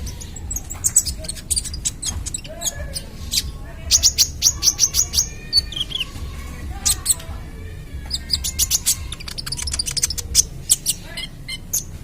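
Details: Ruby-cheeked sunbird, trotol type, singing a full 'tembakan' song in rapid bursts: very high, thin chirps and fast staccato trills in runs of quick repeated notes, with brief pauses between phrases over a low background hum.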